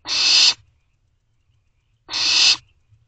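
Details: Young barn owls in a nest box late at night, 24 May 2023, begging their parents for food with two long rasping screeches about one and a half seconds apart, each broad and hissy, against quiet low background hum.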